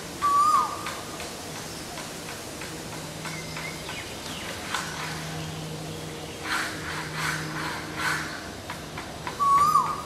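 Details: Asian koel (Eudynamys scolopaceus) gives two loud, rising whistled notes about nine seconds apart, over a low background hum and scattered faint noises.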